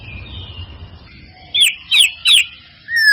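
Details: White-rumped shama sound used as a lure to get a reluctant bird to sing: after a faint thin whistle, three loud sharp downslurred notes come about every 0.4 seconds, then a clear falling whistle at the end.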